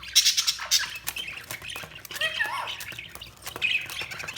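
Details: Budgerigar chatter with a jumble of high squeaks, soft warbles and sharp clicks from several birds, rising and falling in loudness.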